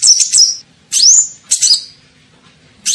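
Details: Kolibri ninja sunbird lure call for attracting birds: short bursts of thin, high chirps, including upward-sweeping squeaky notes, separated by brief silences.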